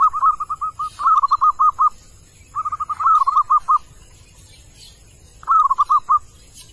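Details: Wild male zebra dove calling in three bursts, each a quick rolling trill of clipped notes that runs into a few stronger, evenly spaced coos, with quiet gaps of about a second between phrases.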